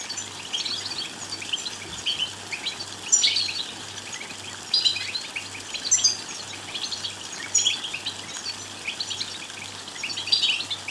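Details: Goldfinch song meant to excite males into singing and attract females: dense, fast high-pitched twitters and tinkling notes, louder bursts every few seconds, over a constant low hum.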